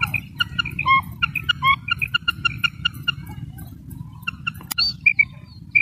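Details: Common quail female sound, Pakistan: quick high paired notes with lower echoing tones, repeated rapidly in bursts over a constant low hum, with one sharp crack near the end.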